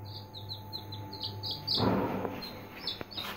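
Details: Three-day-old Aseel chicks peeping in short, high, falling notes during the first half, followed by a dull thump and handling noise, with a constant low hum throughout.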